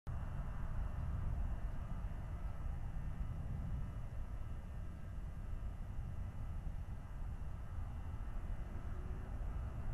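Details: Steady low rumble like distant traffic fills the recording, with a faint constant hum and no animal calls.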